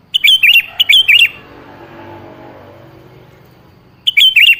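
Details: Sooty-headed bulbul song played to lure a quiet bird into answering: quick bubbly whistled phrases of four or five liquid notes, a pause of nearly three seconds, then the phrase again, loud and clear over faint hum.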